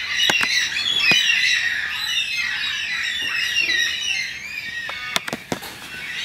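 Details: Several Carnaby's black-cockatoos, an endangered species of southwest Australia, in a suburban Perth backyard keep up a constant overlapping chorus of high, wavering, squawky wails, broken by a few sharp cracks.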